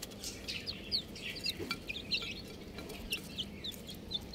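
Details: Baby chickens chirping: bright, thin peeps repeated every fraction of a second, a few louder than the rest, with a low hum behind them.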